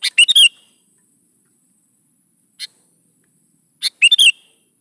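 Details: Sooty-headed bulbul, gacor song for luring young bulbuls to sing along: a chattering phrase, a lone thin note, then another quick bubbly phrase of three loud notes.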